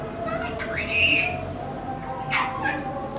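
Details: A 21-month-old male Indian ringneck (rose-ringed) parakeet from Bangladesh, a talking pet, speaks in a high nasal voice: a rising phrase, a pause, then two brief syllables, over a steady background hum.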